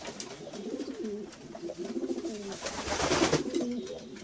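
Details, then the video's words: A group of domestic pigeons gives overlapping, throaty rolling coos, with bursts of fluttering and rustling noise in the second half. "Sounds of pigeons. Pigeons,domestic pigeons - pigeons sound effect"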